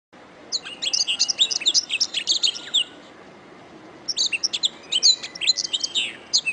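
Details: Canary song recorded as a master track for teaching other songbirds: two bursts of rapid, high, sharp chirps and twittering trills, separated by a pause of about a second, with faint low background hum.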